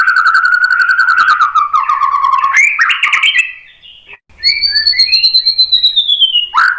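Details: Lure song of a White-rumped shama, meant to spur another bird to reply and show its repertoire: loud, rich, varied phrases with buzzy slurs, a short gap, then a sustained high whistle drifting downward.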